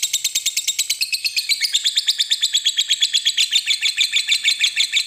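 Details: Fighter lovebird in long ngekek song, a sustained high chattering trill of fast regular pulses, pitch dipping slightly partway through, continuing without pause and with no other sounds.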